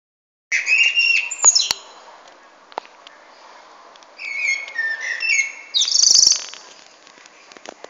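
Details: Common blackbird singing: fluted whistled phrases around mid pitch, each ending in a high scratchy twitter, with short pauses between phrases and a quiet background.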